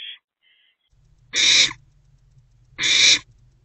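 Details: At night by a nest box, a female barn owl sits with her two oldest owlets on 7 April 2024; loud rasping, hissing screeches of about half a second, two in a row, over a low steady hum.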